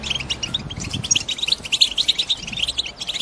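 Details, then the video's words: Breeding-ready female European goldfinches in a cage give excited chattering that urges a male to sing; a steady stream of high, clipped chirps runs throughout, with faint low rumble beneath at the start. "بتبتة الإنات لتحفيز حسونك و كسر صمته وجعله يرقص من الغناء"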